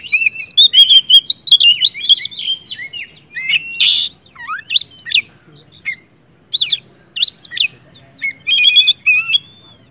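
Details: Full, emotional oriental magpie-robin song to set other magpie-robins singing: a long warbled run of looping whistles, a rough burst, scattered sliding notes, then a rapid metallic rattle.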